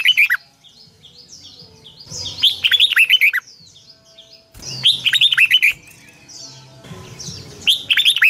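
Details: Morning song of a Red-whiskered bulbul, used to train caged birds: three phrases of fast, warbling whistled notes a few seconds apart, with thin high chirps from other birds in between.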